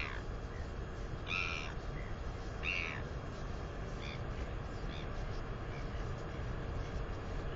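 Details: Two brief, high squeals of delight come from a wing-exercising northern royal albatross chick, aged 218 days, near her nest. Strong, steady wind noise dominates between the calls.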